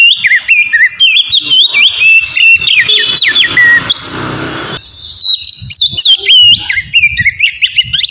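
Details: Oriental magpie-robin in relaxed ngeplong singing, played to rouse emotion and breeding urge: busy whistled notes jumping up and down, mixed with clicks and chips, a brief hissing break, then steady looping whistles resuming.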